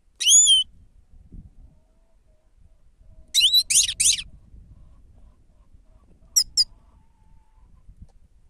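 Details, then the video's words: Grey-crowned goldfinch used as a lure: a clear whistled call, then a burst of three quick buzzy notes, and later a short doubled chirp, with quiet low background noise. "седоголовие щегол сава"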